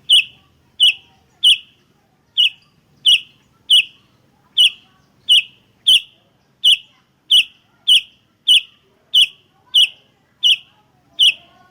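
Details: Sooty-headed bulbul in a lure recording, giving a steady series of short, sharp chirps, roughly one every two-thirds of a second, about seventeen in a row.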